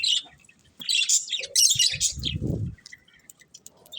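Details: Short bursts of high budgerigar chirps, followed by a low rumbling noise and then near silence, with a final faint chirp.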